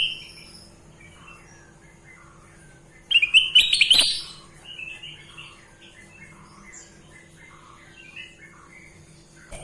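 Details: Sooty-headed bulbul singing energetically, one loud burst of rapid bubbling whistled notes lasting about a second, with faint chirps from other small birds scattered through the otherwise quiet background.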